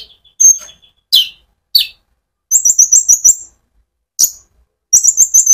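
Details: Konin sunbird used as a lure to stimulate other sunbirds: a thin high note, then sharp down-slurred chips, followed by rapid rolling runs of very high repeated notes.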